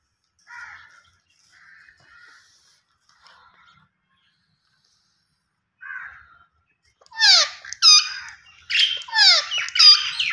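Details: Rose-ringed parakeet: several soft muffled notes for seven seconds, then a rapid series of loud harsh screeches with falling sweeps.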